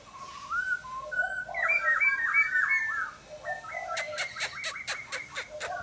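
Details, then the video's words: Laughingthrush whistling a flowing series of slurred notes, then switching to a rapid string of sharp, clicking staccato notes near the end. "Chim Khướu kêu ríu rít"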